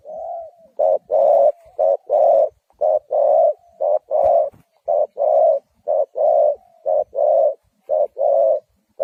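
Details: Lure spotted dove for catching wild doves calls in loud, evenly spaced pairs, a clipped coo followed by a fuller longer one, repeated about once a second over nine seconds.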